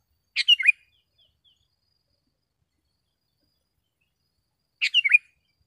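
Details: Sooty-headed bulbul song for training caged birds and attracting wild ones: two short clear phrases of three or four chirps, over four seconds apart, in silence.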